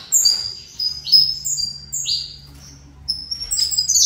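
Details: Caged saffron finch in fibra style gives spaced, high sliding notes, several sharp downward sweeps separated by short quiet gaps, quieter than its fuller runs.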